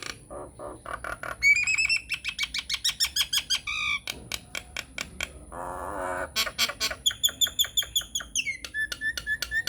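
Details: Unedited Nias hill myna lure song for prompting quiet mynas to sing: dense bursts of sharp repeated chips, bright whistled notes, a raspy buzz, then rapid ringing chatter and descending whistles.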